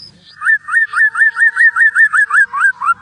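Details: Singing lure of a white-rumped shama (murai batu): a steady string of about eleven rising, upslurred whistles, one every quarter second, over a faint constant lower tone.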